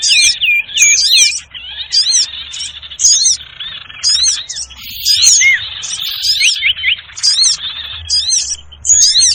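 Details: Noisy trapping lure of the sirtu bird: layered high chevron-shaped chirps in bursts, with thin twittering underneath and short pauses between clusters.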